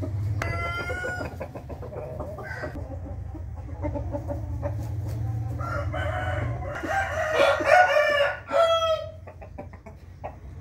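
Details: Rooster crowing in the morning on 8 April 2021: a faint distant crow opens, then a loud, ragged crow rises and breaks off near the end, over a constant low hum.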